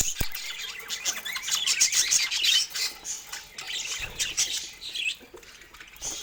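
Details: Pet budgerigars chirping while enjoying fruit; quick twittering chirps and squawks in a busy flow, softening toward the end, with a thump near the start.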